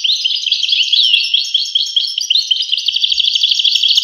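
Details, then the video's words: Continuous goldfinch song, a bright jumble of twittering notes and quick slurs that ends in a dense trill of rapid chirps, nothing else audible. "voice carduelis- Tweets the birds. Tones a bird Goldfinch. voice goldfinch-"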